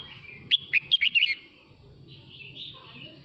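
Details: Male red-whiskered bulbul singing to call the flock: a quick string of five or six bright, slurred whistled notes, followed by softer warbling notes and faint low background rumble.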